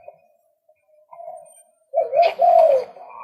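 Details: Male White-breasted Waterhen: faint low murmuring notes build to a loud double rasping croak, then a softer grating tail.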